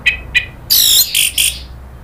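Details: Orange-headed thrush provoked into agitated rattling calls, from a lure recording meant to excite the bird into rattling and then full song. Two brief high chirps are followed by harsh, buzzy, noisy bursts.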